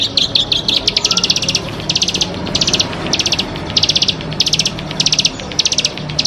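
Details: Bar-winged prinia, a champion and persistent singer, delivers short bursts of very fast, high ticking notes, each burst under half a second, repeated roughly every half-second to second, with a low hum beneath.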